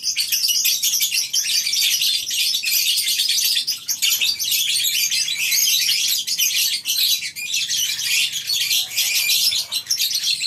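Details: Many lovebirds in a colony aviary on a breeding farm in the morning, a dense, continuous wall of shrill, high chirps and squeaks from numerous birds overlapping without pause.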